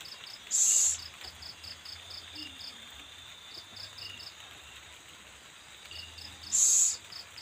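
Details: Owl feeding its young; two separate loud hissing bursts, each under half a second and some six seconds apart, with continuous rhythmic cricket chirps between them.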